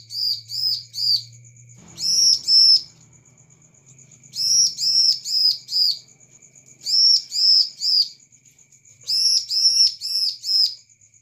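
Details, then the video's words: Bar-winged prinia song used as a lure to make other birds answer quickly: bursts of three to four loud, arched chirping notes separated by pauses, over a faint steady high ticking and a low hum. "Pancingan ciblek AMPUH Paling banyak di gemari karena cepat merespon || ciblek gacor"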